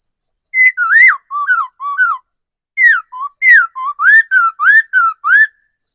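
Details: Decoy laughingthrush in forest pouring out two rapid bursts of clear slurred whistles, rising and falling notes alternating quickly, with a quiet high pulsed ticking behind.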